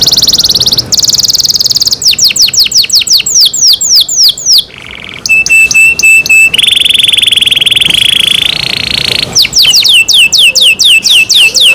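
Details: Canary cared for at home singing a varied, loud strain: buzzy rolls, runs of rapid falling whistles, a clipped stuttering trill, long steady buzzing tones, then more fast slurred notes.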